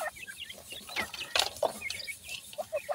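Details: Partridge chicks give quick high cheeping notes, short slurred chirps overlapping in a busy flock, with a few louder soft clucking sounds near the middle.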